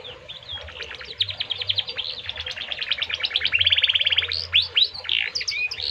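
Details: Canary singing in full voice in the cengkok mewah style: high rapid trills and chirps that quicken and grow louder, building to a dense buzzing roll near the end, with a faint low hum underneath.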